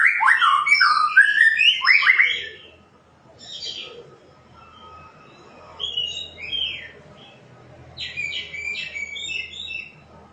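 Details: White-rumped shama singing loud, rich downward-swooping whistles at the start, followed by quieter spaced phrases of thin rising notes.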